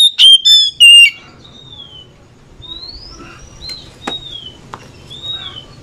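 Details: Oriental magpie-robin (kacer) singing back and forth: three loud, sharp whistled notes with harsh ringing overtones open the clip, then fainter thin descending and rising whistles answer from farther away over a low background hum.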